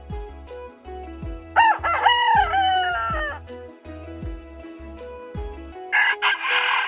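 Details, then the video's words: Rooster crowing: a rising then sagging, raspy call lasting about two seconds, set against a rhythmic drumbeat with music, and a noisy burst near the end. "Rooster Crowing Compilation 2023 || Natural Rooster Crowing Sound Effects"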